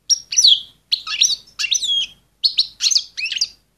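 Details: Female European goldfinch in an excited state, calling to ready males for breeding; dense bursts of liquid, twittering chirps and trilled notes in quick groups, nearly continuous, with no other sounds.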